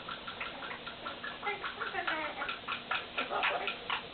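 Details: Ollie, a pet Quaker parrot (monk parakeet), chatters at his mirror in quick clicks, gurgles and short squeaky whistles; he always does this near a mirror, owners unsure why.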